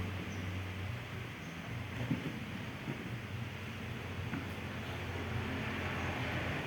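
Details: Constant low rumble of wind or engine noise fills the recording, with a few faint thumps and no animal voice.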